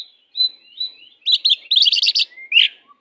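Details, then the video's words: Oriental magpie-robin (kacer) tutor song for less insistent birds: a few thin whistled notes at steady pitch lead into a quick run of rattling, buzzy chattered notes, ending with a rising whistled slur. "Kacer pastol jahat lumayan but masteran burung Kacer kurang ngotot Lang sung ikut ngotot"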